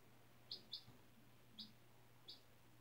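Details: Four bright, brief peeps from a 4-day-old domestic chick, one of a school class's hatchlings from April 17, on fresh bedding indoors; a quick pair, then single notes, over low mains hum.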